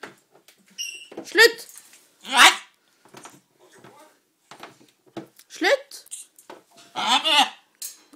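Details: A macaw speaking Norwegian, saying words such as 'nei' (no), 'ikke bite' (don't bite), 'takk' (thanks) and 'vær så god' (here you are), in short, harsh, raspy phrases about a second long, with a person's voice and brief squeaks between them.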